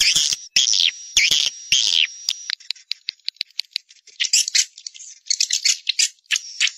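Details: Swiftlet (Collocalia vestita) call sound, one of three types alongside stay and colony sounds: dry, rattling bursts and high buzzy chirps, some drawn out, others quick and clicking, repeated in an uneven stream.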